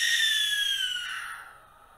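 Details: Barn Owl territorial call: one long, harsh, hissing banshee-like shriek lasting about two seconds, starting loud and rasping, then dropping slightly in pitch and fading away.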